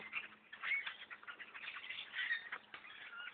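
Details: Thousands of blackbirds around a bow hunter's tree stand: a brief stretch of thick overlapping chatter with a few clearer whistled squeaks standing out above the crowd noise.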